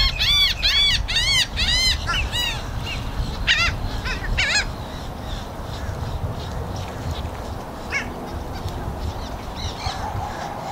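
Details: Gulls, including black-headed gulls, yelling loudly: a burst of strident, repeated arching cries at the start, a few more spaced calls, then fading into a constant low roar of wind or water.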